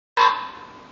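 A raven gives one short, harsh, hoarse croak that starts abruptly and fades away with a lingering echo.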